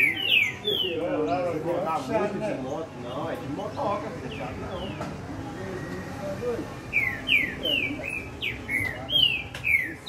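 A green-winged saltator sings bright, downslurred whistled notes in quick runs, with a man's voice talking over the middle of the song.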